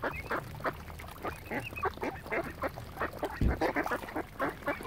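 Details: Flock of ducks gathered around swans at Lough Neagh, Oxford Island, Ireland, giving rapid, overlapping raspy quacking calls in a steady chorus, with a brief low thump partway through.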